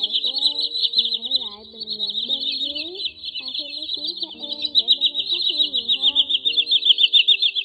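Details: Common sandpiper call recording made in August 2020 for netting migrating birds at night: long run of high, fast trilled piping notes, growing more pulsed toward the end, with sliding lower notes and steady tones underneath.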